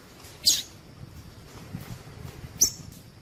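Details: Two brief, sharp, very high notes about two seconds apart, the female Double-collared seedeater call given to encourage males to sing, over soft background noise.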